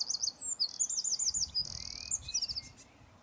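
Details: Eurasian wren singing a rapid, very high rattling trill mixed with sustained piercing notes and quick chatter, loud throughout.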